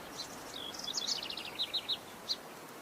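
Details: Russet-crowned warbler (Myiothlypis coronata) song: a quick run of high, sweet chips and warbled notes, then three clear separate notes and a final high chip, over faint background hiss.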